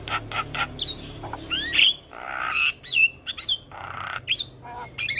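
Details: Young black-winged starling giving loud squawks, slurred whistles and buzzy rasping notes in a jumbled, mimicry-rich song.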